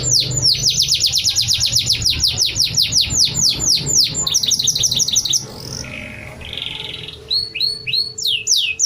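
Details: Canary in moult singing its prinia imitation toward dusk: a long rapid series of sharp downslurred chips about four per second, then softer whistled notes and a few high chirps.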